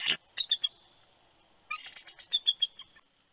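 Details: At Big Bear, California, on a January 2020 night, a male bald eagle calls his mate to the nest at shift change. A sharp single note, a few quick piping notes, then a longer high chattering series.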